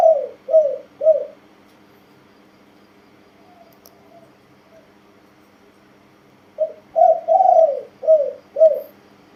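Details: Spotted dove cooing, its pattern of two 'kuk' notes, 'ku-ang' and 'nun-ang' with a sometimes doubled 'ang' depending on mood; three low hooting coos, a pause, then five more in a row, one drawn out.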